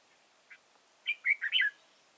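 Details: At Chùa Hương on 31 March 2018, a red-whiskered bulbul used as a trapping decoy gives one short chip, a pause, then a rollicking four-note warble, the last notes slurring downward.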